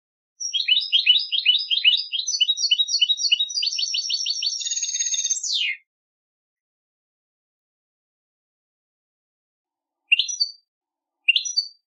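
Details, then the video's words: European goldfinch in a song contest delivers a fast chattering run of high tinkling notes for about five seconds, ending in a downward slurred note, then two brief chirps after a long silence. "cd concurso jilguero"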